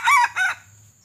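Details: Two loud harmonic crowing syllables from a pale, white-legged red junglefowl decoy used in luring wild birds during trapping; the first note is higher and longer, the second shorter, then silence.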